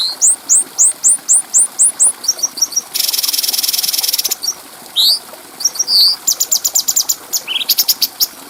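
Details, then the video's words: Clear bulbul song recorded as a training track for other birds: a string of sharp upslurred whistles, then a dense buzzing rattle, then mixed chirps, hooked whistles, and quick ticking runs, all high-pitched and loud. "Masteran Burung Cucak Cungko Suara Jernih"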